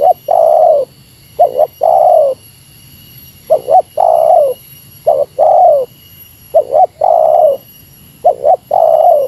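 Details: Spotted dove voicing the meratus lure call toward a rival: deep cooing phrases of two brief notes and a long level coo, repeated roughly every two seconds, with a steady thin high-pitched hum throughout.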